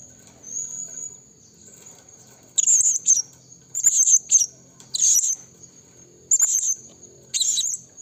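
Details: Blue-crowned hanging parrot calling to draw rival birds from the forest: bursts of shrill, very high chattering notes, each about half a second long, repeated irregularly over a steady high-pitched insect drone.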